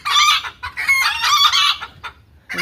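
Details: Hen cackling loudly in two long, harsh, ringing bursts, then a short pause and a final fresh burst.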